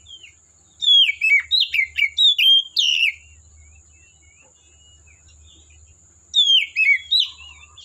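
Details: Oriental magpie-robin in the forest pouring out a fast series of loud, varied whistled and scratchy notes, a quieter warbling pause, then another loud burst at the end, over a steady high hiss.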